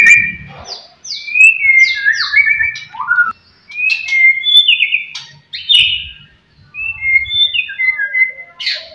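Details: A singing white-rumped shama, offered as a lure to provoke rival shamas, gives rich, varied whistled phrases, fluty slides and quick sharp notes in bursts with short pauses between them.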